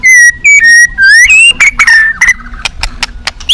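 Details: Caged shama at a song contest whistling pure, steady notes in short repeated bursts, then a rising whistle and a run of sharp clicks and softer ticks, ending on a high upward sweep.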